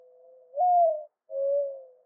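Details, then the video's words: Mourning dove coo with a long low opening note that rises and swells, then a single sustained softer coo, with a quiet background. "Mourning Dove Call"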